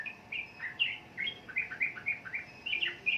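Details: Sooty-headed bulbul: brisk, bubbly song of short, fluty notes rising and falling in quick succession.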